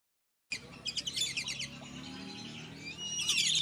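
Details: Lesser whistling duck calls used as a lure to bring the birds down: after half a second of silence comes a quick run of high, sharp whistled notes, then a steadier high chattering that rises again near the end.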